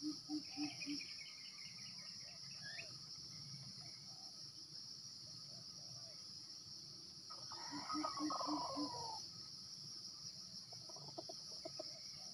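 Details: Junglefowl lured by a decoy in Sumatra: after a few soft low clucks, a drawn-out harmonic crow-like call slides downward over about two seconds, followed by soft clucks. High-pitched insect drone throughout, and buzzy calls of other birds.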